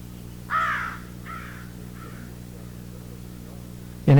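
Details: Two young American crows fly in and beg adults for food with nasal versions of adult calls. Three hoarse caws, each fainter than the last, come about three quarters of a second apart over a low hum; a voice cuts in at the end.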